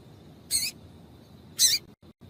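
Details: Two short, harsh, high chips, about a second apart, from a female double-collared seedeater, a call played to warm up a male into singing, over a low background hum.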